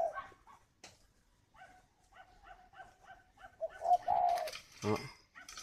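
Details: Spotted dove at a Vietnamese bird farm near Hanoi, incubating while calling; a run of quiet, evenly spaced short coo notes, then a louder drawn-out coo, ending in a burst of noise and a man talking.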